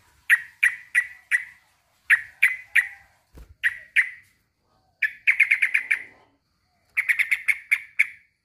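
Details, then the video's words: Sooty-headed bulbul male calling to a rival, giving clipped chirping notes in groups of three or four, then faster rattling runs of about six notes toward the end, with one brief knock in between. "kicau suara trucukan jantan memanggil lawan"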